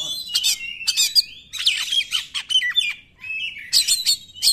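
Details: Oriental magpie-robin singing in the 'nembak' style, used as a lure to provoke non-singing magpie-robins: bursts of rich, varied whistles and harsh chattering notes separated by short pauses, with a few sharp rising slurs.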